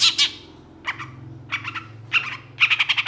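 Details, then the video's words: Long-tailed shrike song in brief, harsh squawking bursts and clipped chattering notes, spaced by short silences, ending in a fast run of repeated sharp notes over a faint low hum. "PENTET GACOR EMOSI CEPAT DI RESPON CENDET LAIN, MASTERAN CENDET FULL ISIAN"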